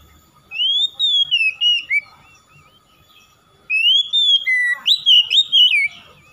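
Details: Oriental magpie-robin (kacer) in full, energetic song, used to prompt quiet birds to answer. Two loud bursts of clear whistles rise and slide, then come quick piercing notes, with a pause of about two seconds between phrases.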